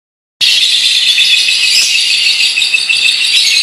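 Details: Lovebird giving a long, unbroken trill in a distinctive style: a dense, high, rattling chatter sustained without pause for over three seconds after an abrupt start.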